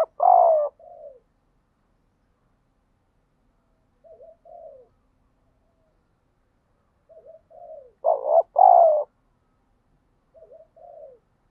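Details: Decoy spotted dove in routine training for fighting and luring wild doves: loud hoarse coo phrases alternate with pairs of soft, low, short coos at intervals of a few seconds.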